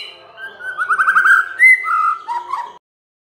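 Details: Lure song of a white-rumped shama meant to make quiet birds sing: a soft trilled run of quick repeated notes, then a bright high whistle and lower sliding whistles fading out.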